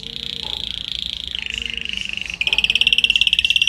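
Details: Canary song used as a training recording to teach other canaries: fast, steady trills of repeated notes, a high rolling tour dropping lower midway, then a brighter, louder rapid trill near the end.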